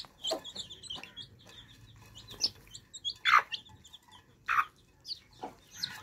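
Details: Thirsty baby chicks drinking fresh water: scattered thin high peeps mixed with louder short broad clicks and taps at irregular intervals, the peeping soft behind the clicking.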